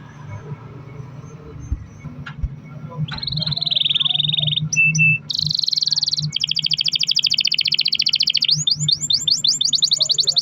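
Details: Canary song lure with long rolls: after a quiet noisy start, a sustained whistle and buzzy roll build into long rapid trills and quick rising repeated notes, over a low hum.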